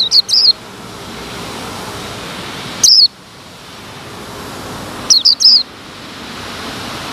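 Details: Male white-eye kept in a cage and parted from the female, uncovered while wild birds gather near. High, sharp descending chirps come as a doubled note, a lone note, then another pair, with soft hiss in the gaps.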